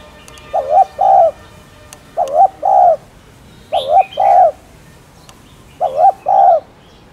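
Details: Spotted dove cooing, a recording used to stir other caged doves into calling: paired soft, wavering two-part coos, each pair about a second long, repeated four times with short pauses between.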